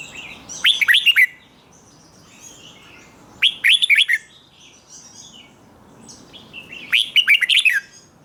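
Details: Red-whiskered bulbul song, a doubled phrase played for young caged birds to copy: three bursts of quick, bubbling whistled notes, each burst about half a second long, spaced roughly three seconds apart, with faint chirps from other birds between.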